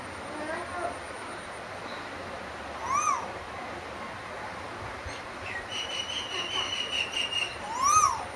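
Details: Singing Asian koel giving two arched, rising-then-falling whistled notes about five seconds apart over a steady background hiss, with a burst of softer chattering calls in between.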